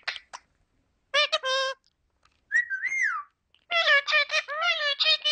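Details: Indian ringneck parakeet talking, called very sweet: short harmonic, voice-like phrases in separate bursts, a clear rising-then-falling whistle in the middle, and a longer run of chattering, word-like syllables at the end, indoors.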